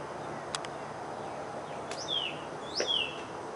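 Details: Cardinal giving two slurred, downward whistles about a second apart, each sweeping from high to lower pitch, over steady broadband background noise with a couple of faint clicks.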